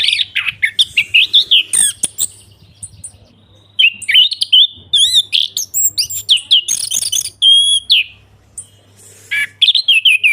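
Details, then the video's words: Orange-headed thrush singing in the ngeplong style, used as a lure for birds that have stopped singing: rapid varied high whistles, trills and sharp chirps in quick bursts, with short pauses, over a faint low hum. "ANIS KEMBANG NGEPLONG PANCINGAN TERAPI ANIS KEMBANG MACET BUNYI SEKETIKA LANGSUNG NYAUT DAN GACOR"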